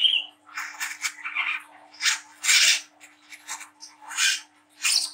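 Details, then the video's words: Juvenile mottled Brown-throated Sunbird giving rough 'ngriwik' chatter, used as a stimulus so young sunbirds sing. Raspy, scratchy bursts of noise-like chirps, each about half a second, separated by brief gaps, with a thin whistle at the start. "PANCINGAN KOLIBRI KELAPA WICEH MUDA TROTOL GACOR NGRIWIK NGLAGU"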